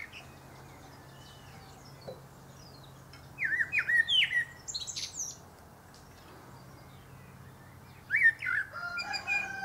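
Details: Male common blackbird singing atop a pear tree. After a quiet stretch, a fluty, warbled phrase comes with a squeaky ending. A second mellow whistled phrase follows about five seconds later.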